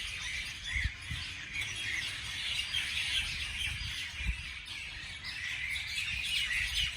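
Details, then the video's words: Morning bird chirping: layered high twittering notes and occasional squawks from several birds, continuous throughout, with a few soft low knocks in the background. "美丽的早上美丽的鸟的鸣叫beautiful morning beautiful birds chirping sounds calls"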